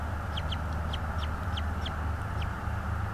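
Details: Bald eagle at a nest in North East Florida, filmed by a nest camera on 24 January 2022 at 16:40; a quick series of about nine thin, high, downslurred chirps over a steady low rumbling hum.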